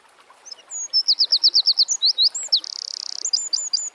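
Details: Wild Eurasian wren in full song: high, piercing notes delivered in a quick series of about ten, sliding into a buzzing rapid trill and ending in a short flurry of clipped notes.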